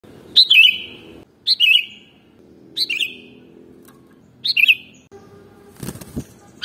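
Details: Sooty-headed bulbul (kutilang) song used to lure other birds: four short bubbly whistled phrases, each a quick up-and-down flourish, spaced about a second apart, with a brief rustle near the end.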